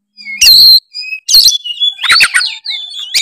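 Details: Oriental magpie-robin, a Tretes-type kacer, singing a varied, full song used to provoke rival birds: clear whistled notes and sliding tones mixed with harsh buzzy bursts, short pauses between phrases.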